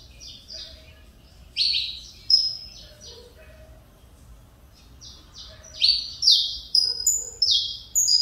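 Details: A Saffron Finch of the Mineirinho song style, captive-bred and singing again after almost two years of feather trouble, gives two bursts of loud, buzzy, down-sweeping chirps. Between the bursts come quieter notes, and the second burst climbs in pitch.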